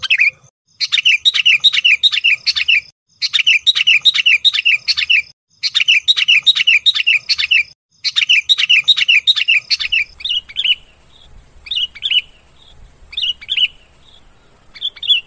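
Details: Sooty-headed bulbul lure sound for attracting wild bulbuls: bursts of quick, bright chirping notes repeated in phrases about two seconds long with short gaps, then scattered single whistled notes with a faint low hum underneath.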